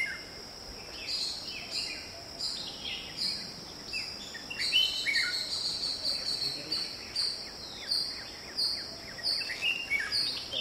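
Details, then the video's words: Red-whiskered bulbul (Pycnonotus jocosus) in a garden giving short, bright chirping notes in quick bursts over a steady high insect drone; the recording also shows parents calling a chick through the garden into a bush to roost. "Red-whiskered Bulbul"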